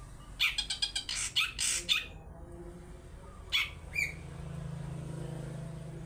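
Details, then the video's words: Long-tailed shrike 'toet toet' lure song for getting other birds to sing: a rapid string of harsh rasping notes for two seconds, then two isolated notes, with a steady low hum throughout. "Pancingan cendet toet toet || ahlinya mengundang bunyi"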